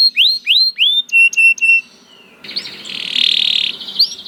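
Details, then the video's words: Canary song opening with three loud upswept whistles and repeated short flat whistled notes, then a softer buzzy rolling phrase and one final upswept note. "The Lazy Canary Sounds Immediately After Hearing the Sound of the Canary This One || Voice of Canary"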